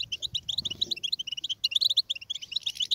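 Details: Short burst of European goldfinch twittering used to encourage singing: quick paired chirps and tinkling notes in brisk succession, ending in a denser jangle.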